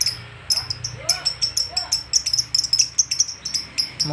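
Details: Lovebird worked up on meeting another lovebird gives a fast series of thin, high, ticking chirps, several per second, with a few softer sliding notes early on and a constant low hum beneath.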